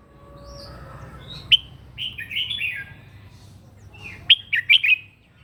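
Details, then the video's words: Morning fighting song of a red-whiskered bulbul, used for voice training and rousing birds: two short warbling phrases of whistled, slurred notes separated by a pause, with faint background hum. "kích chào mào mũ hót đấu buổi sáng luyện giọng kích chim hót căng lửa"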